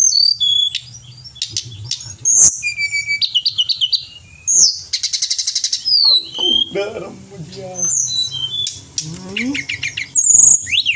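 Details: Lively singing pied bushchat (tledekan gunung) in a training recording: a varied run of high whistles, sharp chips, rapid rattling trills and slurred notes, with faint low background hum.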